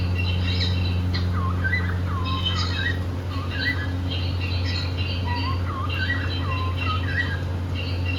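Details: Two pet cockatiels, happy and playful, give rapid looping chirps that swoop down then up, several per second in loose runs, with a steady electrical hum underneath.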